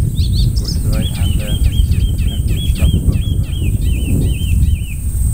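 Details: Icterine warbler staying a few days in early July, delivering a rapid string of repeated looping whistles, about two per second, mimicry-rich song over constant low rumble.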